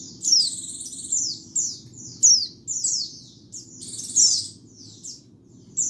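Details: White-eye song used as a lure and master song, cleaned of surrounding noise: high thin descending whistled sweeps and trills in short bursts about every second, with a steady low hum beneath.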